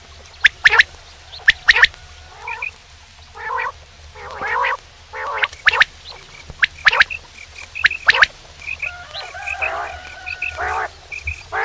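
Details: Male common quail calling in crisp, rapid triplets of whip-like notes, several times across the recording. Rough, gargled croaking calls from other birds alternate with them, and soft thin chirps run in the background.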